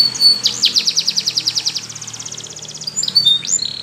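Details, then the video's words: A canary sings a training song: one long, evenly pulsed trill of about twenty quick notes, slowing toward the end, followed by a few upslurred whistles. "It's Impossible If Your Canary Doesn't Sound !! The Canary's Voice Called"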